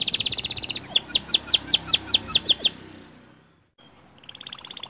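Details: Lure song of a white canary, used to get other canaries singing: rapid high trill, then a series of sharp downward-slurred notes repeated roughly every quarter second, a brief pause near silence, then another fast trill begins.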